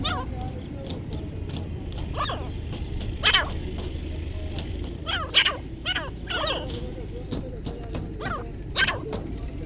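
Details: Partridge calling: a run of short, harsh, harmonic notes, each rising then dropping, repeated in loose bursts with louder clusters near the middle and end, over a steady low rumble of background noise.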